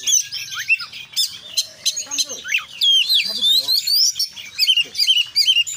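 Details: Konslet song of an Oriental magpie-robin, full of isian phrases: loud, clear whistles sliding up and down, interspersed with sharp chips and short buzzy notes, delivered in rapid varied bursts.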